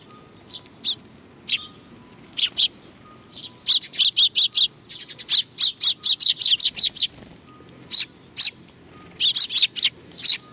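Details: Several sparrows arriving to be fed at Tenmangu, Nakanoshima, 21 June 2020, give bright high chirps, first spaced out, then in rapid runs of short repeated notes, with a faint background tone.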